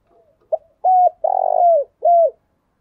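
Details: A spotted dove call used to stimulate newly caught doves into the 'giọng thổ' voice. Faint low murmurs lead into a sharp pip, then a steady coo, a drawn-out buzzy trilled coo falling at the end, and a closing downslurred coo.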